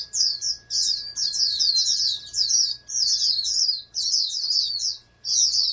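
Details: Captive-bred oriental white-eye, kept as a national contest hopeful, delivering quick high chattering bursts of twittered notes, each burst under a second, with short gaps between and a low background hum.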